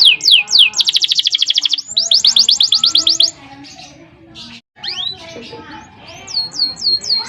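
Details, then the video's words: Song of a lively canary meant to stir other canaries: two bursts of very fast, dense trilling broken by short whistles, then a quieter stretch with scattered notes and some rising whistles near the end. "Masteran suara burung kenari GACOR ngerol PANJANG seept rapat || kenari lain ikut EMOSI"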